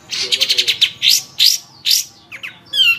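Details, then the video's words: Long-tailed shrike (cendet) singing energetically in a tutor recording for songbirds: a quick run of eight sharp high chirps, then separate rising buzzy notes and a few short slurred whistles, with no other sounds. "Suara Burung Cendet | Gacor"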